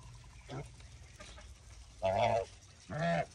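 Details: Farm geese calling: a faint short note, then two loud, harsh, nasal honks about a second apart, each lasting a quarter to half a second.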